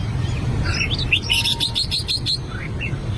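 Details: Albino red-whiskered bulbul practising song: a short sequence of sweet whistled notes, then a rapid run of sharp clicks, ending with a few soft rising whistles, low hum beneath.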